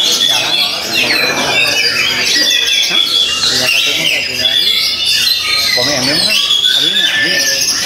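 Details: Kacer, the oriental magpie-robin, battling a rival in song: an unbroken stream of loud, high, rapidly varied whistles, trills and scratchy squawking notes, layered and overlapping as two birds compete to silence each other.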